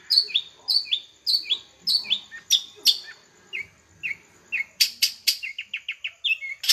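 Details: Long-tailed shrike in full energetic song: a run of sharp, down-slurred high whistles about every 0.6 seconds, then lower, softer notes and a final burst of harsh, scratchy chips.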